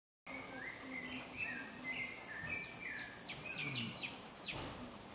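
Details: Newly hatched Clay-colored Thrush (Turdus grayi) chicks in their nest give a thin, high chorus of squeaky, slurred peeps, several a second, overlapping and rising, over faint background hiss.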